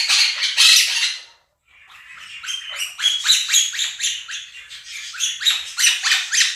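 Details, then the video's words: Two pet Quaker parrots screaming over a played recording of a budgie flock: a loud burst of harsh, rapid shrieks, a short pause, then a steady stream of chattering calls repeated about four times a second. "Quaker parrots scream over flock of budgies"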